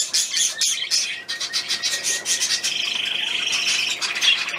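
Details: Small bird recorded on 31 May 2020, uttering rapid, scratchy chirps that merge into a sustained thin, high twittering trill toward the end.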